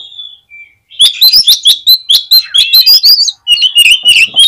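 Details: Magpie-robin lure song meant to agitate other magpie-robins: after a faint opening whistle, a rapid, unbroken run of bright chirps and looping whistled notes.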